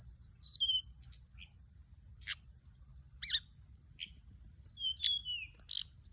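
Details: Mugimaki Flycatcher lure recording: high thin whistled phrases, several sliding downward, mixed with short sharp chips and brief pauses between bursts.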